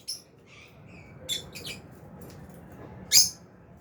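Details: Lovebirds, albino and Fisher's, in an aviary flock eating food; brief thin chirps and a short scratchy pair, ending with one loud shrill squeak.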